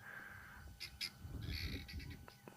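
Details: On safari, guineafowl on the ground below a tree, where a bird of prey is eating a small bird, give alarm calls: harsh, rasping bursts that run into a scratchy, cackling chatter over about two seconds, with a low rumble underneath.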